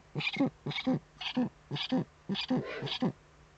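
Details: Eurasian eagle-owls at a nest webcam in the Eifel, 23 February 2015, around 19:00, as the male brings the female a prey gift: short, hoarse, gruff calls in quick pairs, roughly two a second, over a faint low hum.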